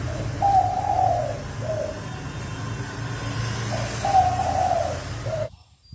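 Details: Spotted dove lure call for trapping: two hoarse, rolling coo phrases about three seconds apart over a constant low rumbling hum, cutting off abruptly near the end.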